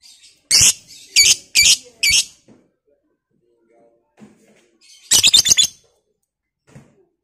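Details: Lovebird of the Batman fighter type, calling to provoke other lovebirds: four loud harsh high bursts spaced about half a second apart, a pause, then a fast stuttering series of five to six harsh pulses.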